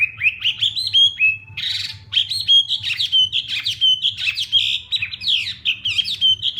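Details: Morning training song of a Hwamei: continuous, loud, varied whistling with rapid repeated notes, sharp upslurs, a short harsh burst, and steep descending sweeps.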